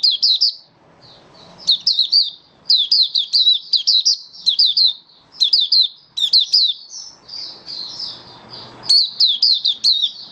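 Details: Kept Malaysian Oriental white-eye singing steadily, repeated clusters of high, sharply slurred chirps mixed with smoother warbling notes, short breaks between bursts.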